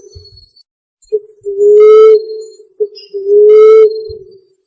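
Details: Common emerald dove (punai tanah) gives two low, mournful hoots, each a short clipped note then a drawn-out, slightly rising moan, about a second and a half apart; the sound is used for luring birds.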